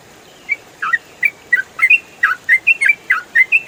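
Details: Clear yellow-vented bulbul used as a songbird tutor: a lively string of sweet, slurred chirps alternating between higher and lower notes, roughly three per second, against a clean silent backdrop.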